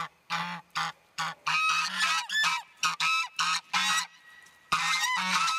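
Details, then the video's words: Four rescued geese, newly arrived at a sanctuary in February 2012, honk excitedly in loud, harsh, nasal overlapping bursts, about two to three calls per second with brief pauses, while checking out a large pond and pasture. "geese making a joyful noise"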